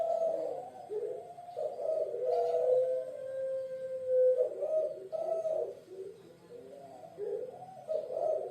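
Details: Puter pelung dove, a bird typical of Java, Indonesia, kept as a pet: deep, hoarse cooing with long sustained notes and a smooth drawn-out tone that slides gently downward, steady throughout, over a quiet indoor background.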